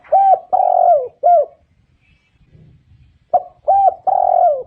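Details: Decoy spotted dove giving a phrase of three mellow coos, the middle one longest, then after a quiet pause the same three-coo pattern again with a faint low rumble between.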